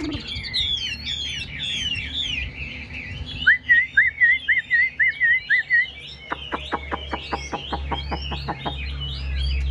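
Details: Chinese hwamei singing in a cage: tumbling whistled phrases, then about nine loud repeated downslurred notes, followed by a fast train of crisp clicks.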